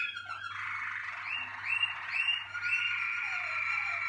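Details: A Malinois Waterslager canary bred for song in a 2019 team: bubbling gurgles lead into repeated upward-sweeping liquid notes, then a long steady rolling trill with a descending undertone; a low hum persists.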